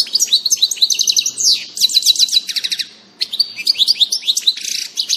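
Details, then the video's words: European goldfinch recorded on 6 April 2019, the first seen that year, delivering a dense, fast liquid twitter of high chirps and trills with brief buzzy notes and one short pause. "Distelfink Stieglitz"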